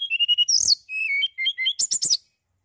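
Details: Mountain tailorbird singing actively as a lure for other birds: a fast string of steady high pips, then alternating whistled notes stepping up and down, closing with three sharp bright chirps.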